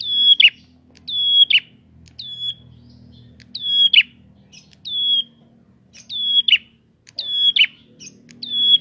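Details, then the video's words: Prinia singing as a lure to provoke untrained prinias: high whistled notes that slide down with a sharp buzzy drop, repeated about once a second in bursts of one or two, over faint low background hum. "Prenjak gacor!!! Pancingan untuk burung prenjak bahan"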